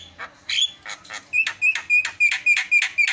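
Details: Javan myna song used as a master song to draw other birds into song: a rapid series of about eleven rasping, buzzy notes with a steady whistled tone, repeated about every quarter second.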